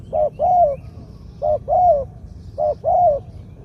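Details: Spotted dove decoy with a medium-pitched voice giving three 'kuk khu-ang' pairs: each a short clipped note followed by a longer, slightly falling coo, spaced about a second apart.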